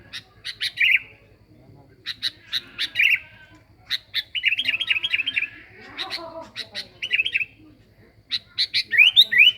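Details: Sooty-headed bulbul, a lure recording of an energetically singing bird: bursts of harsh chirps, quick warbled trills and short rising whistles in loose phrases with brief pauses, ending in a run of upward sweeps; faint low hum underneath.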